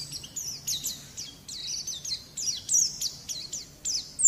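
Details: Softer white-eye training song for young birds, made of evenly spaced high, thin downslurred phrases with a short upward note at the close.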